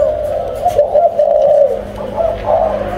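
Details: Captive breeding pair of spotted doves cooing: low, mellow hooted notes that run together in a steady, slightly wavering phrase, with faint room noise behind.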